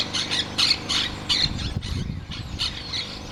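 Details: Cardon woodpecker (Melanerpes cactorum) calling: a run of harsh, squealing notes repeated several times a second with uneven spacing, with low rumbling noise in the background.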